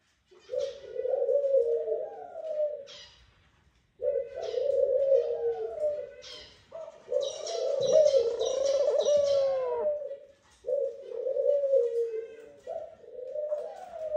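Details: Courting pair of Eurasian collared doves at the nest, the male calling the female to it; a steady series of long, low, slightly wavering coos separated by short gaps, with a burst of bright chirping and rustling near the middle.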